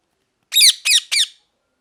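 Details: Three rapid harsh parrot screeches in a row, each about a quarter second, raspy and slightly falling, with brief gaps between, in an otherwise silent setting.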